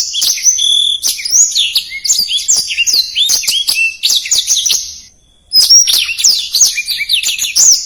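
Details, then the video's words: Black-throated canary singing in fast, tight phrases with distinctive turns: shrill chirps and whistled slurs, a short pause partway through, then another burst of high twittering. "Suara Blackthroat Gacor Speed Rapat | Masteran Blackthroat Durasi Panjang"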